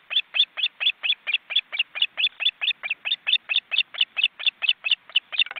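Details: Nearly grown osprey chicks on a nest in an Estonian forest reserve, live webcam, flapping wings and reluctant to fly. Shrill, even chirps repeat steadily, about four each second, for the whole stretch.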